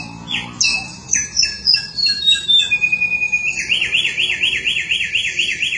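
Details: Forest samyong song beginning with sharp high notes and a long descending whistled glide, then switching to a rapid warbling trill that wavers up and down continuously.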